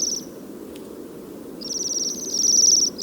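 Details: Bohemian waxwing from a flock feeding on rowan berries in early winter snow, giving very high, thin, ringing trills: a brief one at the start, then a longer run building louder over the last second and a half, over a steady low rumble.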